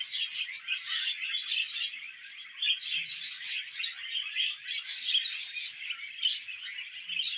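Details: Budgies keep up a continuous high twittering, rapid squeaky chirps swelling and fading in waves over several seconds, with no other clear sounds.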